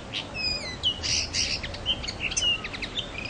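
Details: Common linnet singing a fast, varied twitter of chirps, trills and slurred whistled notes, high-pitched and continuous, over a steady low hiss.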